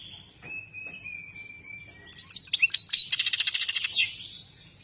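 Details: European goldfinch singing: a long, thin whistled note held steady, then a fast burst of bright, buzzy trilled notes and twitters, ending in a softer warble, over low background hum.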